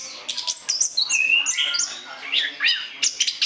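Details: Orange-headed thrush in full, nonstop song intended as a lure, delivering quick sweeping whistles and scratchy twitters that jump between high and middle pitches in a dense, hurried stream.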